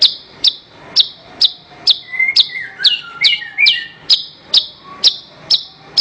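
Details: Horsfield's bush lark song, recorded for training other songbirds: piercing high notes repeated roughly twice a second, with a brief burst of lower, warbled whistles woven between them midway.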